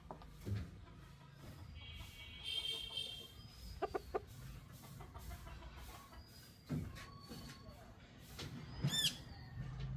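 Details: Chickens with a drawn-out harmonic call held for about a second near the start, then scattered short clucking notes and clicks over steady low background rumble.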